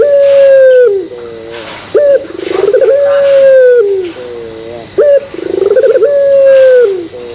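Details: Puter pelung Barbary dove giving its coo to make other doves join in: long level hoot falling away, low doubled notes, sharp upslurred note, then a pulsing trill, repeating about every three seconds.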